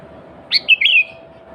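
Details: Single sooty-headed bulbul phrase meant as a lure for other bulbuls: a sharp rising note, then a fluid warbled whistle sliding downward, lasting about half a second over faint hum.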